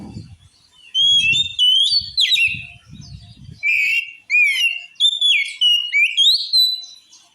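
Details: Oriental magpie-robin singing a song said to send other magpie-robins into a rage: a rich, varied run of loud whistled phrases, rising slurs and scratchy notes, delivered in quick bursts, with low thuds in the first half.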